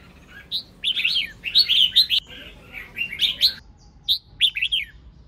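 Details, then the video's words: Female red-whiskered bulbul singing to stimulate males, with busy twittering phrases of bright slurred whistles, a brief pause, then more quick chirping notes. "Tiếng chào mào mái kích trống hót líu lo"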